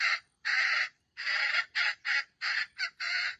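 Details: Wild chicken bait bird crowing with a grinding stutter: loud, raspy syllables of uneven length, some long and some clipped short, separated by brief gaps.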